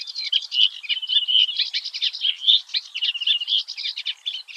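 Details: Eurasian reed warbler singing early one morning at the Oostvaardersplassen, the Netherlands: a continuous chattering stream of rapid scratchy and churring notes with brief whistled phrases, mostly high-pitched, delivered without pause.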